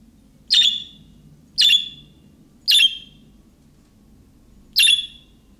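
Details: Budgerigar calling in the manner of young birds, which other budgies answer; four single raspy chirps about a second apart, with a steady low hum beneath.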